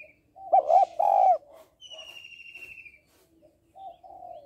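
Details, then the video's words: Female spotted dove calling to stimulate males. A loud, mellow double coo is followed by a thin, high whistled tone, then soft cooing near the end. "Cu gáy mái kích trống/ tiếng cu gáy mái kích trống hay"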